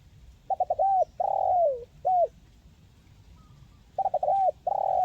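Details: Spotted dove, local tekukur type, calling to encourage silent birds: a complete phrase of stuttered notes, drawn-out falling coo and end hoot, followed after a pause by the start of another phrase.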